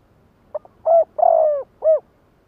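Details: Lure spotted dove calling to attract wild birds, giving one full coo phrase: a short clipped note, then a hollow coo, a drawn-out rolling coo that slides downward, and a closing rounded coo, with no other sound.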